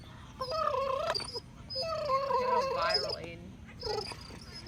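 A Nova Scotia duck tolling retriever makes wavering, moaning whines and grumbles while contentedly chewing a bone.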